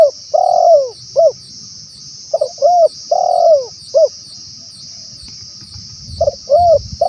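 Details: Spotted dove coos for luring wild doves, in bursts of two to four notes, a long falling coo followed by short ones, separated by silent gaps, over a steady high insect-like buzz.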